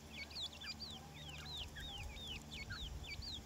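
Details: Grey francolin (teetar) chicks calling, a flock of young birds apparently feeding: many thin, high, down-slurred peeps overlap in a steady stream, each brief and whistled, over a low background rumble.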